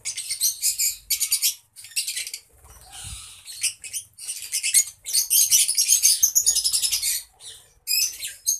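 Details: Colony of lovebirds chattering: continuous shrill, rapid squeaks and twitters from several birds at once, rising in intensity toward the end, with occasional low knocks.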